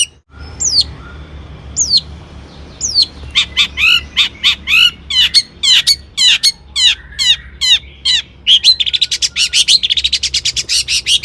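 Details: Long-tailed shrike singing as a lure for other shrikes: scattered, sharp, falling whistles, then a dense stretch of harsh notes and twisting squeaks, then a quickening chatter.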